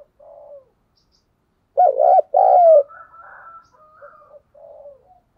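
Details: Spotted dove used as a decoy caller to excite wild doves, giving a soft opening note, then a loud double-throbbed coo ending in a long descending note, followed by quieter murmuring coos and a faint thin whistle.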